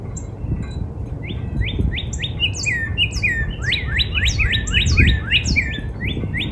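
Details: Northern cardinal singing in a backyard in spring, a lively string of rising and looping whistles growing denser toward the end, layered with high-pitched chirps from other birds over low-frequency noise.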